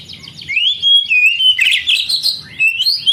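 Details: Oriental magpie-robin singing to spur lazy young canaries: a long smooth whistle, then rapid jumbled chirps and trills, ending in rising whistled notes, with soft low knocking behind.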